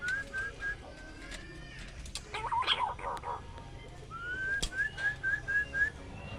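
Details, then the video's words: Pink-necked green pigeon: short repeated whistles at the start, a noisy burst of chatter in the middle, then a rising whistle followed by a fast run of five or six clipped whistled notes. "suara punai daun"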